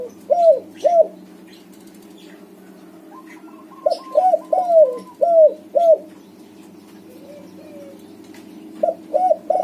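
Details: White-coloured backspot spotted dove cooing persistently, played to coax silent doves into calling: mellow coo phrases of about five notes, the middle note drawn out and falling, repeated several times with a short softer coo between, over a steady low hum.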